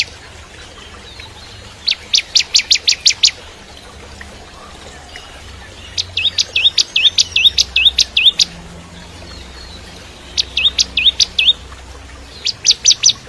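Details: Bar-winged prinia, crystal type, recorded as a training song for shamas: rapid bursts of sharp high chirps, around eight per burst, repeated every few seconds over steady outdoor hiss and low rumble.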